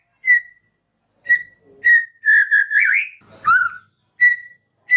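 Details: Caged White-rumped shama singing, used as a lure to prompt silent caged shamas to sing: short clear whistled notes near one pitch, spaced about a second apart, with one longer warbled phrase in the middle.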